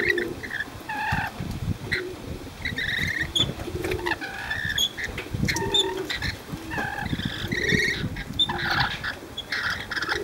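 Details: Free-flying, befriended rainbow lorikeets in Cromer, Sydney, recorded 6 June 2010, giving loud, harsh, harmonic calls in rapid overlapping bursts, some lower honking notes beneath, with steady background hum.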